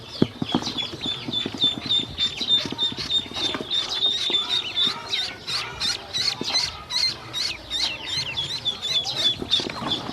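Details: A group of hungry domestic ducklings taken to feed and water, sending out rapid, thin, high peeps in a steady stream, several birds overlapping, with light tapping and rustling underneath.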